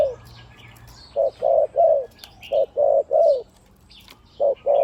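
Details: Spotted dove decoy bird used on the ground, on branches and at trap pens, a deep-voiced one-kuk caller with ku-ang coos almost throughout: short paired low hollow coos in quick groups, with faint chirps from other birds behind.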